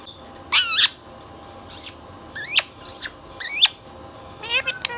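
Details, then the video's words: Pet Indian ringneck parrot (rose-ringed parakeet) giving loud, harsh, shrill screeches in short bursts, some doubled, with quiet gaps between, indoors. "Indian Ringneck Parrot | Ringneck Parrot Talking | Indian Mithu Tota | Parrot Natural Sounds"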